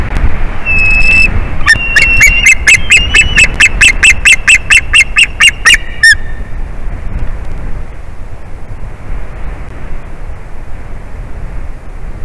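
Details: Adult male white-tailed eagle at the nest tree greeting his returning mate: one drawn squeal, then a rapid stream of sharp yelping notes for about four seconds, ending abruptly before quiet.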